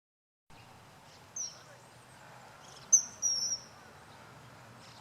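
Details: A common kingfisher in Japan in May gives shrill, very high, thin whistles: one brief note, then a longer, piercing drawn-out one, over a steady rushing background noise.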